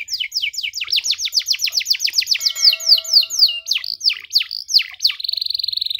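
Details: Canary in full song for training young canaries: a long fast series of steeply falling whistled notes, nearly four per second, with deeper swoops later and a closing rapid buzzy trill.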